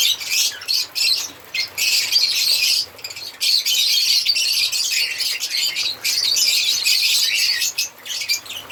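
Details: African lovebirds chirping in high, harsh, fast-repeating squeaks, several short bursts then long sustained runs of dense chatter.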